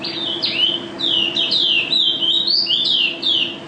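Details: Loud close mountain white-eye, a national first-place champion, in gacor, teler style: a chain of strong whistled slurs rising and falling, sung in quick bursts with brief pauses, over faint low hum.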